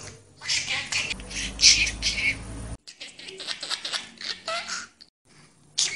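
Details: A pet budgerigar chatters in rapid, scratchy, high-pitched warbles mixed with clicks and mimicked speech-like phrases, broken by two abrupt silent cuts.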